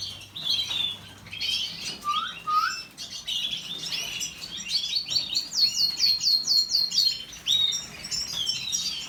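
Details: Singing canary delivering varied chirps and short warbled phrases, a pair of lower upslurred whistles, then a fast series of repeated high sweeping notes, with quiet gaps between phrases.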